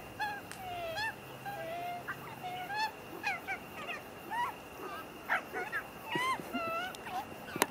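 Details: Magpies of one family, adults and young, feeding after a fight: many short, curved, nasal honking notes in uneven bursts, several birds overlapping, with sharp knocks near the end.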